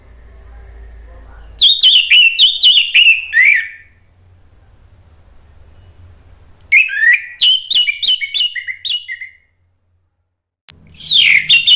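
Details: Lure song of the orange-headed thrush in ngeplong form, aimed at getting a silent bird to answer: two long bursts of quick, varied whistles and rapid notes with a quiet stretch between, and a sharp click before a final phrase.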